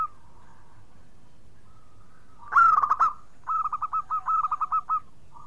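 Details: Singing local zebra dove, a clear, shrill-voiced bird meant to prompt other doves to sing; a loud rich cooing burst followed by a run of about nine short, even, repeated notes.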